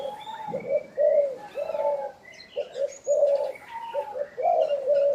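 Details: Spotted dove giving a repeated low, hollow cooing phrase, with paired soft notes followed by a fuller drawn-out coo, several times in succession. Chirps and twitters from other small birds sound faintly above.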